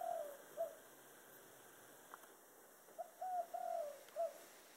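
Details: 'Thổ đồng' style dove song: the tail of one cooing phrase, a quiet gap of about two seconds, then a full low phrase of a short coo, two sustained coos and a closing note.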